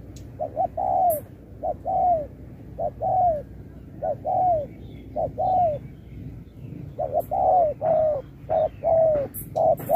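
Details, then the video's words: Spotted dove singing in a contest, 'Thúc kèm Bo' style song: steady series of short double notes each followed by a falling coo, repeated about once a second, the final phrases coming faster and closer together. "Bài lối Thúc kèm Bo tráo trở nước như chim ngoại"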